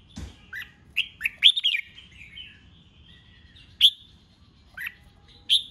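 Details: Caged red-whiskered bulbul stimulated for a singing contest; a burst of rich slurred whistles early on, then sparse single sharp notes spaced over a second apart, a soft thump at the start.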